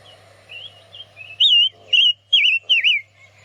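Chestnut-vented Nuthatch giving a short run of high, wavering whistled notes, about four loud ones in quick succession after softer starts, over a low steady hum.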